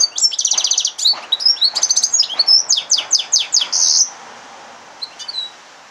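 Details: Hybrid of yellow-fronted canary and domestic canary in song, opening with a fast, even trill, then clipped repeated chirps and a short buzzy note, before falling quiet apart from a couple of soft high notes.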